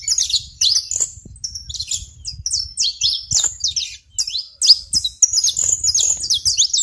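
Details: On a rural plot in Brazil, a saffron finch delivers a fast, jumbled string of high chirps and slurred notes over a soft low background hum.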